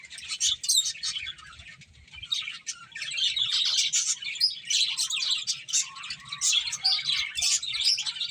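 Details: Group of finches chirping during a meal, about three notes a second in an irregular stream of high, sharp tweets that grows busier after the first few seconds.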